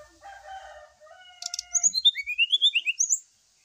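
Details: Brown-chested jungle flycatcher song used as a lure while birds take the morning dew; a low, drawn-out harmonic phrase gives way to a quick, rising and falling series of clear high whistles.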